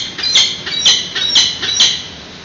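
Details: Peregrine falcon young being fed at their San Francisco nest, 8:35 am on 13 June 2017, webcam recording: loud, grating high screams repeated about every half second, four to five insistent begging calls in a row.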